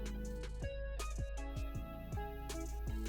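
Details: Plucked guitar music with sliding bass notes and sustained chords; no animal voices are heard.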